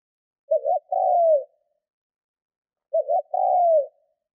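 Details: Spotted dove decoy bird cooing to provoke wild doves: two phrases about two and a half seconds apart, each a short stuttered double note followed by a longer, smooth, slightly falling coo, in a quiet setting.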